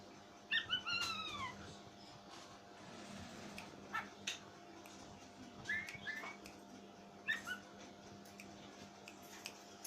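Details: Pet Oriental magpie-robin making a strange sound that alarms its owner: a falling, whistled phrase with harmonics at the start, then short squeaky double notes spaced a few seconds apart, over constant low hum.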